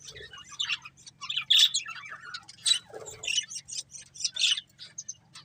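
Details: Budgerigar breeding pair chirping in short separate bursts: thin high tweets, a few squeaky whistles and raspy notes, spaced by quiet gaps, with a steady faint hum.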